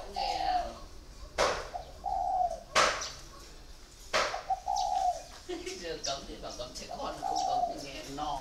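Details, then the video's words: A spotted dove kept caged four years as a decoy coos in low, soft phrases. Loud sharp knocks interrupt, and chattering and rustling follow near the end. "còi 4 năm lồng"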